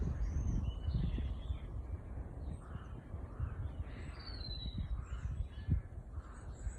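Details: Bird calls recorded on a leisurely walk: a series of hoarse, mid-pitched calls repeated at irregular intervals, plus one thin high whistle near four seconds, all set against loud low outdoor rumble.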